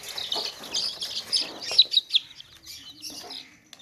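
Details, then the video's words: Baby chicks chirping in a tokri basket: a rapid stream of thin high peeps, several birds overlapping, fading toward the end with a few soft low clucks. "Baby Chicks Chirping Sounds In Tokri | Chicken's Chicks Sounds and Chickens Clucking Sounds"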